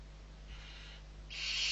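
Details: Six barn owl owlets being fed at Riet Vell reserve on the Ebro, Spain, 21 November 2023; a faint rasping hiss, then a louder, harsher screechy hiss rising at the end, with a low background hum.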